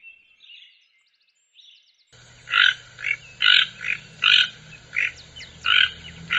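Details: Toucan delivering a run of loud, hoarse, croaking notes at a steady pace of about one per second, after a brief quieter opening with a few thin, high chirps.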